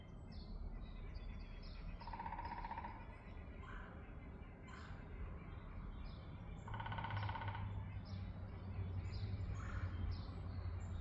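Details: Woodpecker in spring in Chicago: fast rattling drum rolls, one near the start and a longer one later, among frequent high chirps and short notes from other small birds, over a low steady hum.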